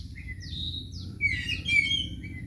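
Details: Oriental magpie-robin kept as a caged house bird, clear whistled phrases: short high slurred notes, then a brighter run of sweet twittering whistles with a sliding end note, over a low steady background hum.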